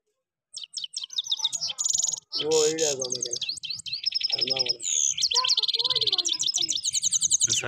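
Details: European goldfinch singing in Parachinar in 2022, in a rolling song style: fast, bright twittering trills and repeated high tinkling notes in quick runs, with a brief lower harmonic sound partway through.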